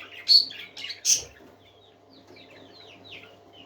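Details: Several parakeets singing happily: a few loud, short high chirps and squeaks in the first second and a half, then softer scattered twittering notes continuing at a low level.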